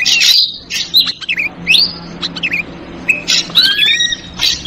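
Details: Ashy drongo lure sound in a busy 'trucukan' style: loud buzzy bursts and twisting whistled phrases, some sliding downward, repeated irregularly about every half second.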